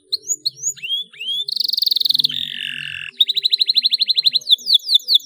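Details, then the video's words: Lively canary song meant to prompt young birds to sing: a few rising whistled slurs lead into a fast high rattle, a lower buzzy stretch, then a long regular trill ending in quick descending notes. "CUITAN KENARI 7 !! KENARI GACOR DOR PANCINGAN JITU KENARI BAHAN"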